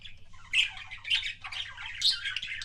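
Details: Pet budgerigar kissing sounds: harsh, scratchy warbling chatter in rough bursts about every half second, with grating squawk-like notes over a low background hum.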